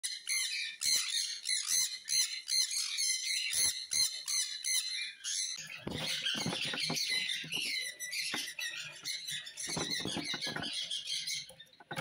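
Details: Young yellow-dominated sun conure chick at a bird farm in Madurai, Tamil Nadu, giving harsh, raspy squawks and chirps, repeated rapidly and unevenly.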